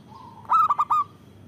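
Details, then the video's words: Loud local zebra dove, used to lure birds. After a thin lead-in note comes a single rich burst of four throaty, overtone-laden coo pulses lasting half a second. "Perkutut lokal gacor Suara Besar Bagus Untuk Pikat dan Pancingan"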